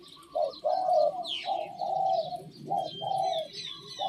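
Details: Cooing of a Thep Phanom decoy Spotted Dove: mellow low coos in uneven groups of drawn-out notes, while thin whistles and chirps of other birds sound faintly above.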